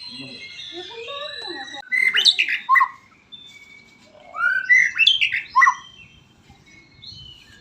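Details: White-rumped shama in song, rich varied phrases of whistles and rapid upward-sweeping notes in two bursts, with a faint lower warbling before and a quiet reverberant room.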